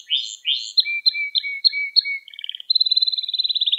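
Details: Canary singing in a recording meant to teach young canaries: a few swooping chirps, a run of separate whistled notes over a low steady tone, then a fast, even, bright trill to the end. No background noise.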